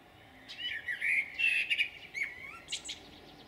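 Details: Blackbird singing in Jūrmala, 11 June 2022, one dense phrase of rich, fluting whistles rising and falling, broken by rapid squeaky chips and a high, shrill twitter at the end.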